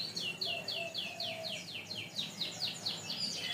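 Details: Canary in a long tutor recording for training other birds, 'kenari 3in1' style: a fast series of about a dozen clear, high, downward-sweeping notes repeated evenly in a rolling trill, with a faint lower whistle early on.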